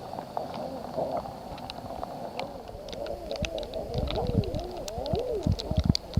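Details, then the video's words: Common eiders give soft, crooning ah-OOO calls that rise then fall, several birds overlapping quickly, over low wind and lapping water. "SOUND OF A COMMON EIDER 🔊 What does a common eider sound"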